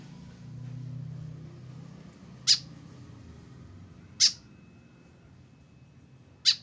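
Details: Lone tame white-breasted woodswallow without a companion, uttering three short, harsh squawks separated by pauses of about two seconds, with a low murmur of background noise in between.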